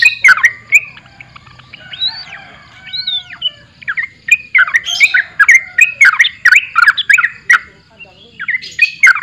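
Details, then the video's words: Sooty-headed bulbul giving gacor borak barik song: opening chortles, a pair of long arching whistled slurs, then a dense, bubbling flurry of quick twisting notes. "TRUCUKAN GACOR BORAK BARIK"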